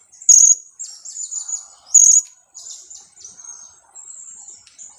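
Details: Young blue-crowned hanging parrot, two weeks old, used as a lure bird, calling in sharp, piercing high chirps, with loud bursts about every one and a half seconds between softer squeaky twittering.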